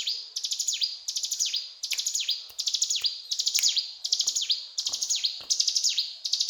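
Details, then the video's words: Ciblek gunung singing hard in cetrakan style, high chattering bursts each finished with a plunging whistle, repeated evenly, with faint low clicks in the background. "Burung Ciblek Gunung Gacor Cetrakan"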